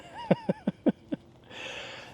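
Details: Pied-billed grebes (Podilymbus podiceps), heard near an island, give a quick series of five hollow, throaty notes slowing slightly toward the end, followed by a soft rush of background noise.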